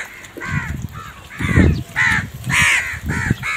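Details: Crows, a large flock shown squabbling over food, give harsh, harmonic caws, about six in under four seconds at an uneven pace. Some are hoarse and others brighter, over low background rumble.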